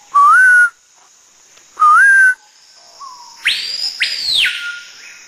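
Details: Wild bird in the Amazon jungle whistling back after a guide's two loud, steady whistles: a soft falling whistle, then louder sweeping, rising-and-falling notes with a harsher edge, over a steady high hiss.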